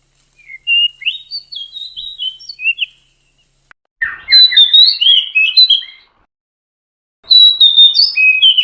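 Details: Oriental magpie-robin female, used to trigger a male's song and breeding urge; three separate phrases of clear, varied whistles and chirps, each a couple of seconds long, with silent gaps between.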